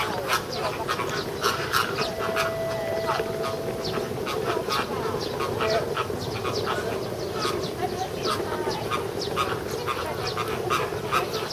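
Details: A flock of American flamingos at Ueno Zoo in June 2016, seemingly quarrelling, gives dense, overlapping nasal honking and goose-like gabbling calls, harsh and continuous, with a steady crowd murmur behind.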